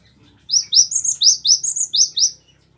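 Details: Cinereous tit, a captive bird recorded as a master song for training other birds: a quick series of about eight sharp, rising high chirps, evenly spaced over two seconds, on a quiet background.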